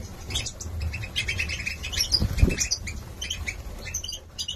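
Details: Several young male goldfinches of the Major type, hatched 2022 in Gladbeck, Germany, chatter in rapid jumbled twitters and squeaky notes, with wing flutters and a low rumbling hum beneath.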